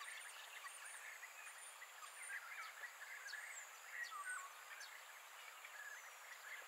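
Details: Wild European bee-eaters, colourful noisy birds that nest in colonies and arrive each spring in Greece; many rolling, trilled calls overlapping around the middle range, with a steady high insect hiss and a few thin whistles above.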